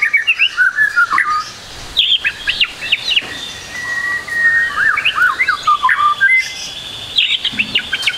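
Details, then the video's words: Varied song of a trotol white-rumped shama from a training recording: mixed whistles, slurred notes and short chatters separated by brief pauses, with a faint low background hum. "MASTERAN MURAI BATU TROTOL AGAR CEPAT BUNYI, MURAI BATU FULL ISIAN"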